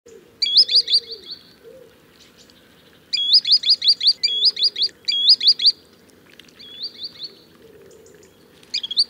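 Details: Green sandpiper giving clear, high, upslurred whistled notes in quick runs of three to five, with pauses between runs and a faint low murmur in the background.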